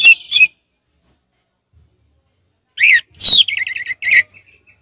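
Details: Orange-headed thrush in relaxed ngeplong song: a short whistled burst, a thin high note, then a loud slurred phrase running into rapid warbling twitters.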